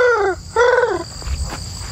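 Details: Eurasian collared dove, one of two heard from a truck around 6:36 a.m. near Clemson, South Carolina, giving two short, nasal, slightly falling notes about a quarter-second apart, followed by faint outdoor rustling.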